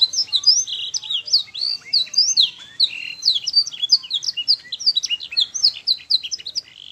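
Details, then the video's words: Young canary training song, a master recording meant to be replayed so fledgling canaries learn to sing quickly: rapid chains of bright whistled, slurred notes and trills, continuous and high-pitched, with short varied phrases tumbling one after another. "Masteran kenari paud AGAR CEPAT BUNYI"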